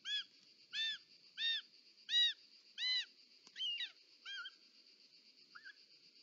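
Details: Short-toed snake eagle at a nest in Parc Natural dels Ports, Catalonia, 18 July 2024, as the mother delivers a snake: a series of arched, whistled notes, about one every 0.7 seconds, breaking into shorter squealing notes, over a steady high whine.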